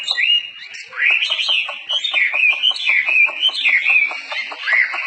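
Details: Tame Chinese hwamei singing energetically: rich, fluting whistled phrases that slide up and down, with varied looping notes and quick chattering runs beneath, delivered almost without pause.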